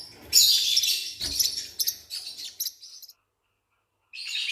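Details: Forpus parrotlet newborn chicks give a loud run of high, buzzy, rasping begging chirps, fading out, then a full second of silence before a fresh loud burst.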